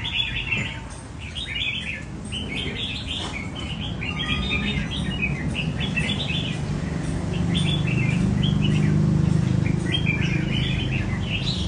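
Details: Caged red-whiskered bulbuls trained at a bird cafe run their 'chạy cầu' song phrases at a relaxed pace. There are rapid bursts of bright warbling notes, repeated about every second, while a low droning noise swells in the second half.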